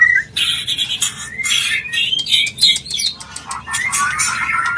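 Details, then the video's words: Mating call of a white-rumped shama, played to bring a bird into breeding condition: short high whistles and rough, scratchy bursts in quick succession, the phrases running almost continuously. "Murai Kawin Suara Jernih"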